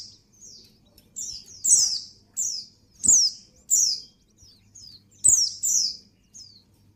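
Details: Breeding-condition female white-eye calling the male with bright, high, falling chirps in short clusters, broken by a few loud sharp clicks and a faint low hum.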